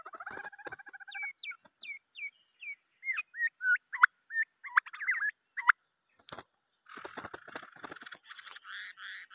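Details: White-rumped shama decoy bird producing a rapid run of short hooked whistled notes, about a dozen in series, then a buzzy chattering phrase after a brief pause.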